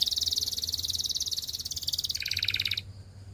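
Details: Canary practice song for training: a continuous, fast, pulsing high roll, dropping to a slightly lower pitch near the end, then stopping abruptly, over a faint low hum.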